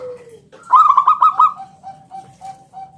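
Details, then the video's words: Lure song of a local zebra dove, ngalun kung bulat style: a slurred low note, a loud rush of clipped notes, then four short, level, softer notes spaced evenly. "Suara NGALUN Kung Bulat - Perkutut lokal gacor Pancingan"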